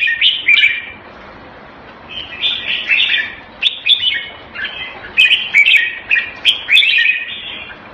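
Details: Short, bright warbled phrases from a red-whiskered bulbul (jambul) kept in the bird hobby, separated by brief pauses over a noticeable hiss.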